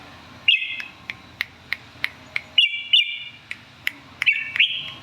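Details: Red-whiskered bulbul giving brief chirpy, warbling phrases, three or four short bursts over a few seconds, interspersed with sharp dry clicks and a low background hum.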